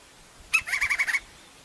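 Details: Crimson-crested woodpecker, Campephilus melanoleucos, in nature, giving a quick rattling series of about seven harsh, evenly spaced notes in well under a second against a quiet background.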